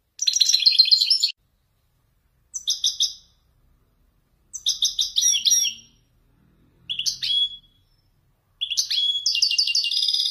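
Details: Wedani goldfinch showing off Marrakech-style descents in five separated bursts of quick, metallic twitters and buzzy slurred notes, with short silences between and a faint low hum behind.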